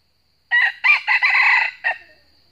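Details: Wild red junglefowl of the north, drawn to a trap with a decoy rooster, crowing a fierce fighting challenge. Loud hoarse crow: a short opening note, longer broken middle phrases, then a clipped final note, over faint steady hum.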